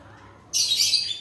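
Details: Grey parrot from a breeder pair giving one harsh, loud, broadband screech lasting under a second after a quiet start.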